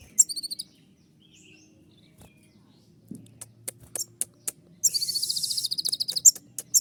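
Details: Purple-throated sunbird (kolibri ninja) producing "tembakan" song: brief high trills open and close the passage, with scattered sharp ticks and a low hum in the middle, ending in a long rapid pulsing trill.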